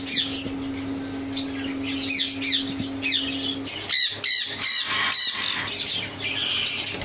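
Rose-ringed parakeets give harsh, high screeches and chattering squawks, several overlapping, with a steady low hum in the first half.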